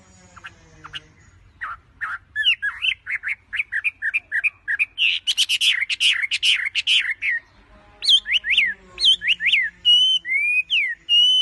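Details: Tame wambi perched on a hand, singing actively: a lively, varied run of clear whistled notes, some slurred and looping, others rising and falling, delivered in fast bursts with short pauses, soft low hum beneath.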